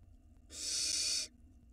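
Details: Barn owl nestling at the nest entrance on a live nest camera in Israel, 2022: one harsh, breathy hiss lasting under a second, rising abruptly and cutting off sharply, over low background hum.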